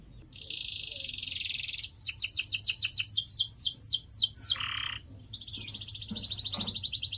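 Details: Canary song recorded as training material for pet birds: a fast buzzy trill, then a run of repeated downward-sweeping whistled notes, a short lower rasp, and another rapid high trill, with a faint low hum behind.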